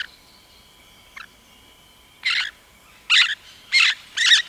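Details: Rose-headed parakeet calling with a run of rasping, squawky notes that come faster toward the end, four bursts over about two seconds, after a quiet stretch with a steady high tone.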